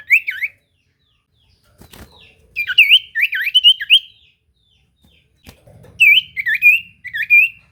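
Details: Common iora singing a lure song to provoke answers from rivals: clear whistled phrases of dipping and rising notes, delivered in three bursts with gaps of silence and a faint low rumble near the end.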